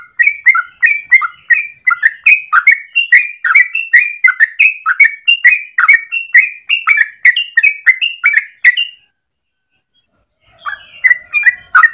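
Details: Yellow-vented bulbul singing in the morning, a long 'ropel' rattle of song used for luring or tutoring birds: fast, evenly running bubbly notes for about nine seconds, a short silence, then the song resumes.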